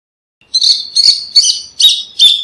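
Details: Five loud, harsh, ringing notes from a rufous hornero, spaced about half a second apart, in a clean recording.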